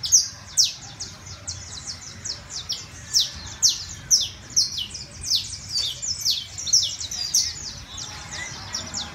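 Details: Criollo canary in sustained song, a long run of piercing downward-sweeping whistles and trills repeated about twice per second, rising and falling in loudness, with little other noise.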